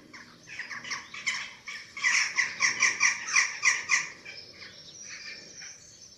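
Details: Feeding of chicks at a Eurasian eagle-owl nest, webcam in Germany, 27 March 2024: hoarse squawks build into a loud, evenly spaced burst of about four per second, then fade into quieter rasping.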